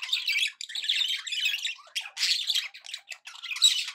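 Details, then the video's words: Contented pet budgies give a rapid, scratchy chattering warble, harsh squawky phrases broken by tiny pauses, with a bright high chirp near the end. "happy budgie sounds"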